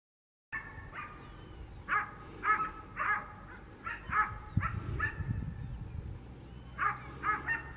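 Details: A black-necked swan (Cygnus melancoryphus) in a neighbourhood of Mercedes, Buenos Aires, gives short, reedy, slightly nasal whistled notes, singly or in quick pairs, about a dozen in all, over a low rumble of wind or water.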